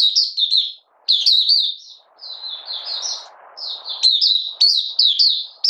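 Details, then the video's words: Malaysian Oriental white-eye, moulting lightly and out of form, 31 July 2023, in 'buka sing' opening song: bursts of high, quick, slurred twitters separated by a noisy hissing lull. "Malaysian Mata Puteh Buka Sing"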